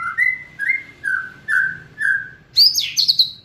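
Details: Murai batu, the white-rumped shama, singing gacor kretekan: five clear mellow whistled notes, each about half a second, given at a steady pace, then a sudden high, squeaky, twittering flourish.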